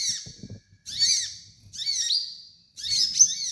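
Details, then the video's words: Kolibri ninja sunbird used as a training master sings four high, chattering phrases of slurred, hooked notes, about one per second, with faint low knocks between them. "MASTERAN KOLIBRI NINJA DAN TERAPI KONIN BAHAN"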